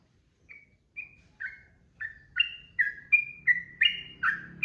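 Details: A trucukan (yellow-vented bulbul) sings a lengthening ropel phrase. Thin whistles build into rapid, alternating high and low slurred notes, coming faster toward the end, while a low hum sounds behind.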